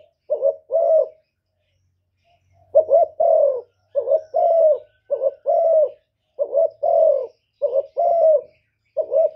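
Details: Spotted dove in 'thổ thúc' style, calling to provoke rivals. One phrase, a pause, then a steady run of low paired coos, a quick wavering note followed by a fuller falling hoot, repeated about every second; faint low rumble underneath.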